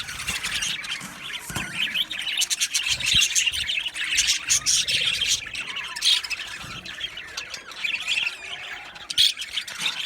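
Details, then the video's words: Colony of Australian budgerigars in an aviary, many birds chirping at once: dense, scratchy high chatter with sharp squawks and warbles overlapping continuously, rising and falling in loudness throughout. "Budgies Chirping sounds"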